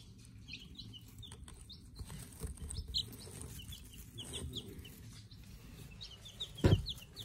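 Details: Silver Laced Wyandotte chicks, one day old, kept in a brooder, give scattered high, thin peeps that slide downward. They are spread irregularly across the recording over steady low background noise, and one sharp knock comes near the end.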